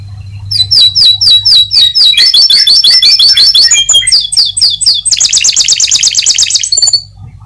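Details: Atlantic canary song used to prompt other canaries to keep singing: loud, fast run of repeated chirped syllables and rolling trills, ending in a dense high buzzy trill, over a steady low hum.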